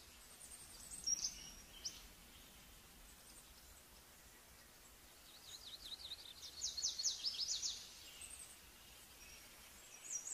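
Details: Thin, very high, sharp notes from a female plumbeous water redstart, a brief burst then a quicker run of ticking calls, over a steady background hiss.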